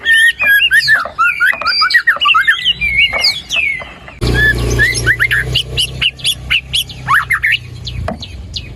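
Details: White-rumped shama song used to trigger a quiet bird: dense overlapping whistles and twitters, then a burst of broad background noise over which high sharp notes carry on.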